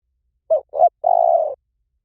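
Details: Spotted dove song in the Liu Tan style, meant for playback to lure and train doves to call back: two short mellow coos, then one long, even, slightly falling coo lasting about half a second, on a silent background.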